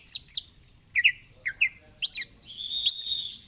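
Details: Fighter-style oriental magpie-robin flaring its feathers as it sings: high double chirps, lower paired whistled notes, then a harsh buzzy phrase overlaid with rising whistles.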